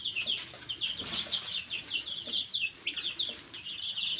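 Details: Baby chicks chirping together: a dense, continuous chorus of high, short, downward peeping notes from many chicks, overlapping with no pause, over a low rustling background.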